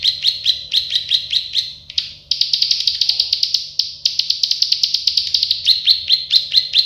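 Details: Song of a plain prinia, known locally as prenjak sawah or klik-klik, in a training recording: rapid buzzy notes running almost continuously, with dense bursts in the middle, over a steady faint hum.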